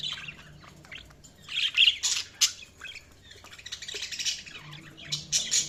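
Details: Budgies chirping in a busy, continuous twitter of bright high notes and scratchy squawks, loudest in the middle, over a faint low background hum.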